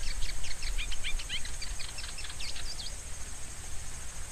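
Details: Rusty-collared seedeater (Sporophila collaris) song: a rapid run of thin, high chirps and slurred whistles, roughly three seconds long, ending in a couple of downslurred notes, over constant low hiss.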